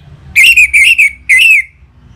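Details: Orange-headed thrush song used to stimulate caged birds to sing: three loud, slightly wavering whistled phrases with short gaps between them, faint hum behind.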